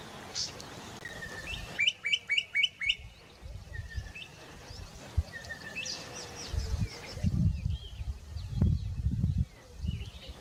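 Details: Bokmakierie calling in the Karoo: a quick run of ringing, clipped notes, about five a second for roughly one second, then scattered whistled notes and short phrases, with low rumbling wind noise in the latter half.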